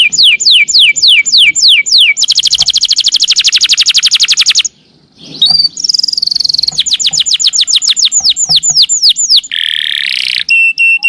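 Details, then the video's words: Canary singing extended phrases: falling whistled notes, then a dense fast trill held for about two seconds, a short pause, more rapid trills, buzzy notes and a steady tone. "SUARA KENARI NEMBAK PANJANG JOSS"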